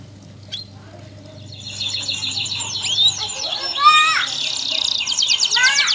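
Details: Canary singing vigorously as a master bird for teaching song to other canaries; after a quiet start with low hum and faint voices, rapid buzzy trills and sweeping whistles build and grow louder.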